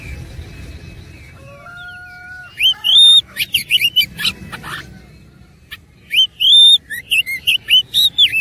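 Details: Oriental magpie-robin song during a fight, with a rich mimicked fill-in: soft, level piping notes at first, then loud bursts of sharp whistled slurs and rattling chirps after a pause.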